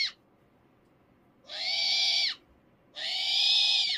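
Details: A captive female eagle-owl, defending her toy seal when someone reaches for it, gives two harsh, raspy hissing screeches, each almost a second long, spaced about a second and a half apart.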